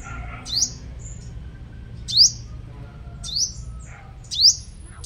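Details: Sunbird kept as a decoy in Long Thành, Đồng Nai, Vietnam: four piercing, upward-swept notes, each fanning into a thin whistle, roughly one to one and a half seconds apart, with brief soft chirps between them.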